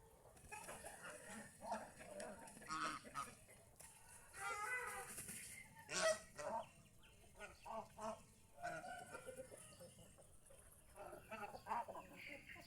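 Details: Geese in the fields around a house call in a scattered, softer chorus of short honks and grunts, overlapping at varied intervals, with a loud single honk near the middle and a faint hiss of background noise.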